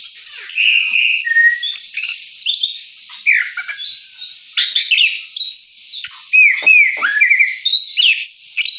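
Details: Rolling 'ngeroll' song of an Orange-headed thrush following moult: rapid, varied whistled phrases with clear upslurs and downslurs, sharp chips and a few steeply dropping notes, delivered nearly nonstop.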